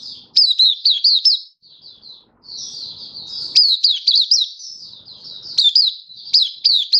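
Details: A caged white-eye of the Malaysian type, Singapore, sunny and warm on 20 March 2023, sings sharp high up-and-down chirps strung into fast phrases, pausing briefly before each new burst.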